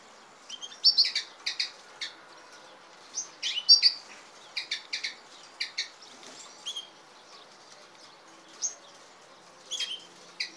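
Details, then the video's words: Goldfinch and canary hybrid giving irregular high chirps and short twittering bursts spaced across the recording, with quiet pauses between. "carduelis carduelis x canaria"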